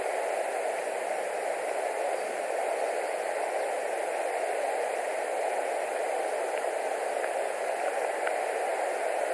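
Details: Steady broadband static hiss fills the recording throughout, with a few faint ticks and no animal voice.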